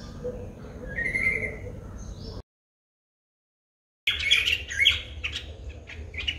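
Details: White-bellied drongo calling in Sri Lanka, filmed on a Nikon COOLPIX P1000: a drawn-out whistled note, then a sudden cut to a burst of quick, harsh, chattering chirps over faint low background hum.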